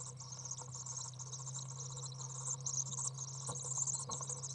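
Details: Three young common swifts being fed in a nest box, 15 June 2011; a continuous, high, fast-chattering wheeze of thin begging notes over a steady low electrical hum.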